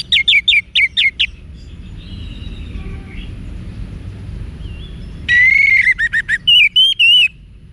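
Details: Wiksar-style song of an orange-headed thrush, played to train caged birds in Bali: clipped repeated notes, a soft sliding whistle, then loud descending trills and wavering whistled notes in quick bursts, with a steady low background hum.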